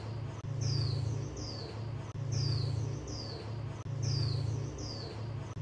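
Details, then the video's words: Calls of a female white-eye, used to train mute birds. Pairs of sharp, descending high-pitched whistles recur in a looping rhythm, backed by a constant deep droning hum. "Khuyên mái 2024 hàng giành cho chim câm"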